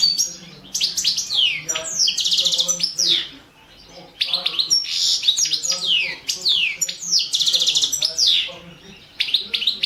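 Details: Balkan goldfinch (Carduelis carduelis balcanica) singing in a 2017 world championship entry from Serbia: repeated phrases of fast high twittering mixed with sweeping downslurred notes, separated by brief pauses, loud and close.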